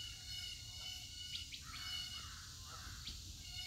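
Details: Birds call outdoors with quick sharp chirps and a few longer, slightly harsh downward notes, loosely spaced, while a continuous high-pitched insect chorus and low rumble fill the background.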